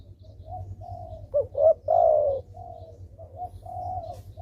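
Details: Spotted dove in strong calling form, played to draw reluctant doves into calling: one loud phrase of two brief coos and a long descending coo, framed by quieter coos and a steady low hum.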